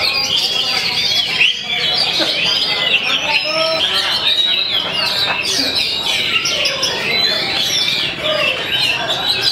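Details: Oriental magpie-robin kept in a cage, perched on a hanging pole, delivers a long, steady, varied song of sharp whistles, trills and fast chattering runs. Dense song from other birds fills the background, along with people speaking.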